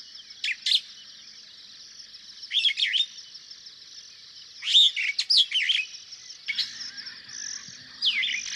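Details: In Kenya, a superb starling gives scattered squeaky chirps and short whistled phrases, busiest in the middle, over a steady high background buzz, with a faint low rumble near the end.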